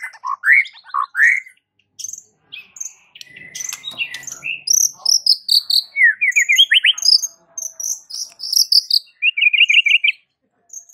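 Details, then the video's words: Singing white-rumped shama whose unique song reportedly sets village shamas answering: quick rising whistled slurs in short runs, high thin chirps and a closing rapid trill, with brief quiet gaps. "Suara uniknya jadikan MURAI BATU sekampung NYAUT GACOR dak MAU DIEM"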